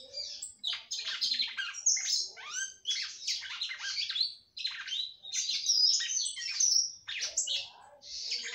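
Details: Captive female red-cowled cardinal singing a great deal to stir up the male, a nearly continuous run of high, quick chirps, slurred whistles and rising notes with only brief breaks.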